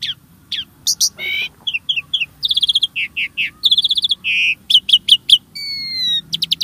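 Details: Jalak starling singing as a lure for caged birds: varied chirps, buzzy bursts, rapid repeated ticks and a long level whistle, over low background rumble.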